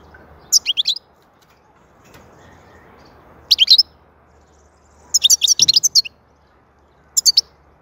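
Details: Goldfinch song in four spaced phrases of fast, bright, chattering twitters. The third phrase is the longest, a dense run of liquid chirps, and a faint low thump is heard near it.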